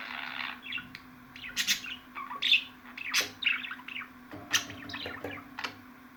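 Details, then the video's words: Budgerigar calls mixing a buzzy warble at the start with loud scratchy squawks and bright chirps, then softer twittering, with a low background hum. "MUHABBET KUŞUNUZ ÇILDIRACAK,MUHABBET KUŞU SESİ"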